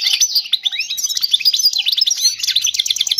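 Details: Error-free European goldfinch song for teaching young birds, heard as an unbroken, rapid, tinkling twitter of high bright notes and short trills throughout.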